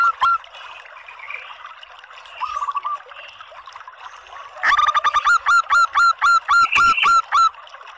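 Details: Female local zebra dove calling to prompt males to sing: faint notes at first, then a loud fast series of short, ringing, slightly rising notes, about four per second, over a soft background hiss.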